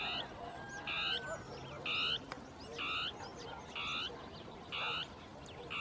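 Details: Northern tapaculo giving its territorial song among scrub, hard to see: a steady series of short, buzzy, churring notes, about one each second, with thin chirps from other birds in the background.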